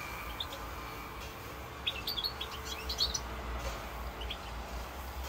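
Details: European goldfinch singing in Corsica on 7 November 2022: a short burst of high, bright twittering notes in the middle of the recording over a steady low rumble of background noise.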